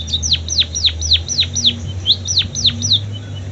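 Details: Munia song filled with canary-style phrases: a rapid series of high, sharply down-slurred whistled notes, about four per second, over a steady low hum.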